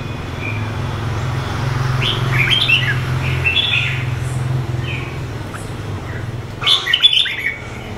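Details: Red-browed red-whiskered bulbul, two seasons old, from the wild A Lưới region of Huế, Vietnam, gives a run of quick chirpy whistled phrases. A louder jumbled flourish comes near the end, backed by a constant low mechanical hum.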